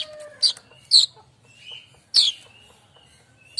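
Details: Streaked weaver song for training other songbirds such as magpie robins: a few loud, sharp, high chips separated by soft thin whistles and pauses.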